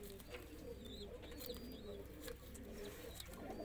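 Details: Roller pigeons kept in a loft: a steady low cooing hum with soft repeated coos, light high chirps from other birds and a constant background drone.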